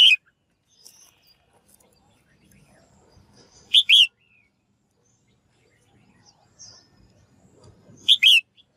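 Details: Calls of a female bird to stimulate males to sing: a clipped end of one call, then two bright, ringing two-note phrases about four seconds apart, with quiet background noise in between.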